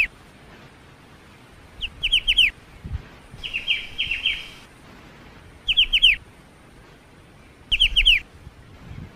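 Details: A black-winged starling sings short bursts of two to four high, falling whistled notes at roughly two-second intervals, over low background noise.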